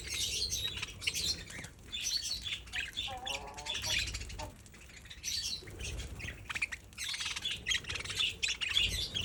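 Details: Budgerigars feeding on millet spray chatter with dense, scratchy chirps and warbles, several birds calling at once.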